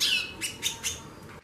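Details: A female White-bellied seedeater (chorão) 'xaxando': a bright, slightly descending buzzy note, then three quick scratchy chirps spaced about a fifth of a second apart.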